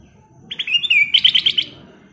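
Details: Golden-fronted leafbird singing lively full song, a single bright whistled phrase of slurred rising and falling notes ending in a fast run of five sharp, repeated chips over faint low background hum.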